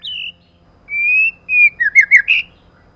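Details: White-rumped shama female serving as a lure bird, giving a high whistled note, two long level whistles, then a quick series of warbled, rolling notes.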